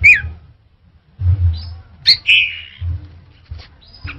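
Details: Orange-headed thrush singing: a few scattered, clear whistled notes and a short sweet phrase separated by pauses, over a steady low rumble.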